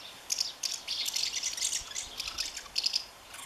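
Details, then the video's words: House martin holding its nest against its partner, 20 May 2015: fast, high, dry twittering notes in short clustered bursts, some sharp clicks, over faint background hiss. "Mehlschwalbe verteidigt Nest - Who is Boss? swallow twitters"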